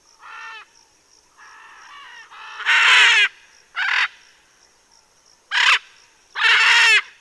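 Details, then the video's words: Several loud, harsh macaw squawks while the birds cool off, Southern California, 7-12-2023; rasping screeches of varying length, some short and sharp, others drawn out, spaced irregularly about a second apart, with a faint steady high tone behind. "Guacamayas refrescándose"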